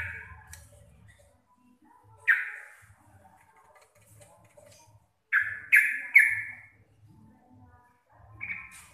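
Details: Sooty-headed bulbul, a local Javanese bird, singing in its loud, clear ropel style: a few separate loud, slurred whistled notes, some in quick pairs, between stretches of quiet and a faint low hum.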